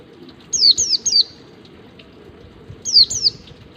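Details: Wild-type ngalas song of a white-eye, meant to train caged birds, with three swift descending high whistles, a gap of over a second, then two more, over gentle flowing water.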